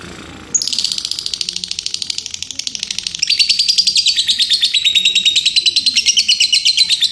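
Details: Lovebird ngekek chatter: a long, fast, buzzy trill of rapid repeated notes, about three per second blurring into a continuous rattle, holding a high steady pitch and growing louder partway through.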